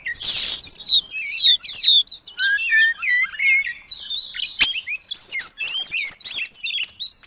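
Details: Oriental magpie-robin singing with long-tailed paradise bird material: varied slurred whistles, some falling and some rising, with short chirps, then a series of loud high piercing whistles repeated about twice per second.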